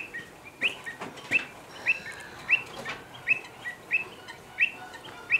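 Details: Agitated pied avocets at Slimbridge, concerned for the safety of their young as common cranes appear beside the lake; clear, sharp rising 'kluit' notes repeated roughly every half to three-quarters of a second, with softer calls behind.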